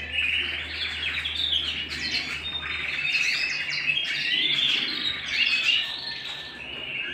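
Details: Home canary song, busy bursts of sharp chirps and rolling trills, bright whistles sweeping upward, several phrases overlapping continuously with a low background hum early on.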